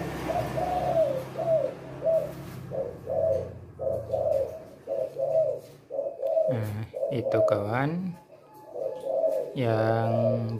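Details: Spotted dove, a male with a big voice of the kuk-2 type, kept as a bird; low hoarse coos repeated steadily about every half second through most of the clip, with a few louder harsh sweeping sounds near the end.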